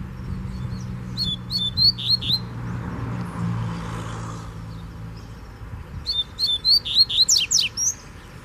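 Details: Free wild rusty-collared seedeater challenging a caged one: two phrases of fast whistled notes with rising buzzy slurs, the second ending in rapid steep high sweeps, separated by a pause filled with low engine-like hum.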